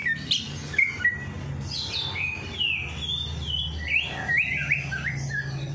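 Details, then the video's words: Bird song meant to rouse a reluctant bird to sing after a night bath: bright rising and falling whistles, some sweeping notes and trills, varied and continuous over a low background drone. "Perangsang Burung Malas Bunyi || Habis Mandi Malam Langsung Cor Dor"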